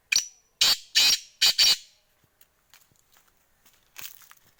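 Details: Black francolin in Sindh, Pakistan, giving a series of five loud, harsh, grating notes within two seconds, then quiet with faint rustles and a distant scratchy burst near the end.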